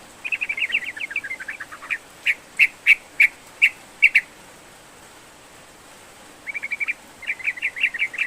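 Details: Sooty-headed bulbul in energetic, full song, used to prompt a reluctant bird to sing: rapid chattering bursts of bright chirps, then a few sharp separate notes, a pause, and another fast chirping run.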